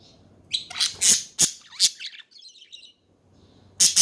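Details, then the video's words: Budgies chattering: a burst of varied sharp chirps and short warbled notes around half a second in, a softer twittering passage, a pause, then more loud chirps at the end. "Hours of chatting budgies"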